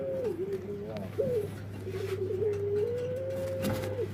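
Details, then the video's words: Barbary dove, locally burung puter, with a strange voice: a dipping coo then a long level tone held about two seconds, soft against a background hum and hiss. "Suara Unik Burung Puter // Unique Sound Singing of dove"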